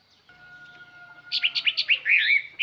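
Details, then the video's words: Chinese hwamei kept as a lure bird, with song meant to call other birds; after a faint steady tone, a burst of quick loud whistled notes rising and falling, closing on a warbled phrase. "tiêng chim hoa mi mồi hót"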